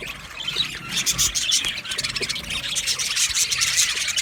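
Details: Flock of Budgerigars kept in an aviary, steady overlapping high chirping and buzzy chatter that swells slightly toward the end.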